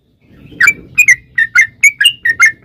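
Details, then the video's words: Sooty-headed bulbul song used as a lure to make other birds sing: short liquid whistled couplets, some rising then falling, given in a steady series after a brief quiet start, over a soft low background hum. "trucukan gacor NGALAS ROPEL PANJANG"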